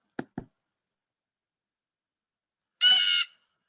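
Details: A blue jay gives its 'jay' call, said to sound like it is saying its own name: one harsh, rasping note lasting about half a second, after two faint clicks and a pause.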